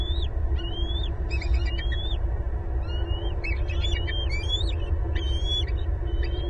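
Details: At a Southwest Florida bald eagle nest, 18 April 2022, both adults and two eaglets vocalise together: series of high piping whistles and rapid chattering notes, steadily repeated, over a low continuous hum.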